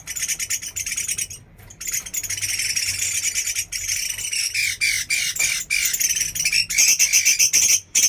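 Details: Chinese hwamei from Da Lat, Vietnam, kept and tested as a fighting bird, pouring out a long, fast, rich song of whistled and harsh notes, ending in a repeated high trill with short pauses between bursts.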